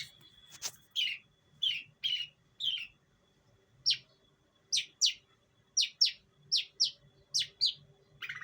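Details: Long-tailed shrike from East Java, kept since it was a chick, used as a lure to train other birds: loud, short, harsh downward-sweeping chirps in irregular bursts, some doubled, over a low background hum.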